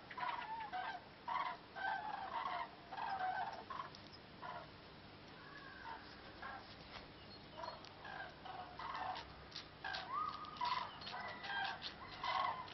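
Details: Cranes in a huge migrating flock heading north over Zutendaal, Belgium, 8 March 2014, calling in flight: loud rolling bugles from many birds overlapping in repeated bursts, some louder calls standing out above a steady chorus.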